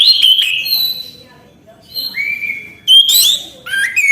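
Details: Persistent, nonstop song of an Orange-headed thrush. Bright whistles and sweeping slurred notes are broken by a brief quiet gap, then a burst of rapid, varied twittering phrases resumes.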